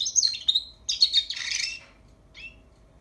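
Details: A young European goldfinch rehearsing song in two short bursts of high, rapid twitters and thin whistles, the second ending in a rough buzzy note, then near silence broken by one faint chirp.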